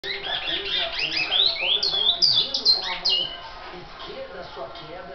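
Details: Brown-plumaged (pardo) great-billed seed finch, bicudo, singing a burst of quick whistled notes that swoop and slide up and down, loudest in the middle of the stretch, over a constant noisy background.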